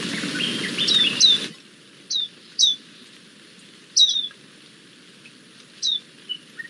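Swinhoe's white-eye giving thin, high, downslurred notes, single or paired, spaced a second or two apart, after a brief burst of broadband noise.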